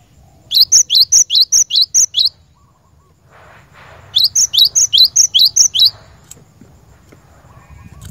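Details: Cinereous tit, a lure bird used for training caged birds, singing two bursts of about eight rapid, bright, high chirped notes, each burst under two seconds, separated by a pause with faint background rustle.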